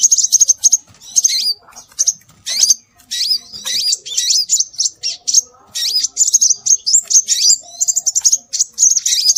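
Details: High-pitched scarlet minivet (sepah raja) calls for luring birds: dense, nearly continuous bursts of sharp whistled notes and quick upward-flicking slurs, repeated in rapid groups.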